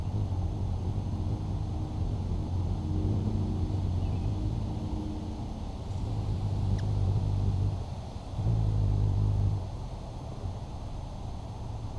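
No animal voice, only a low rumbling car engine that swells and fades, with a single faint click.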